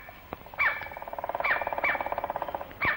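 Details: Male White-bellied Woodpecker in Malaysian rainforest, late 1950s to early 1960s: sharp piercing calls interspersed with a rapid frantic drumming roll of evenly spaced taps, over steady high insect buzz.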